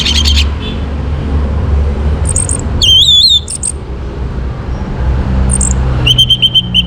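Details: Morning song of an orange-headed thrush, used to stir birds into breeding condition. Brief high squeaky phrases and one clear slurred whistle rising and falling, with pauses between, over a constant low droning background.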